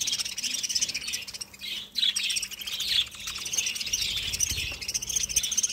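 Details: A group of budgies chatters nonstop, with high scratchy chirps and quick warbled notes rising and falling in waves of overlapping calls.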